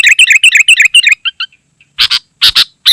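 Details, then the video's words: Sooty-headed bulbul singing nonstop, used to lure wild birds and as a tutor for caged birds: a fast rattling run of identical chirpy notes that fades out, then loud harsh double chirps. "Suara Burung KUTILANG GACOR Sangat Rapat"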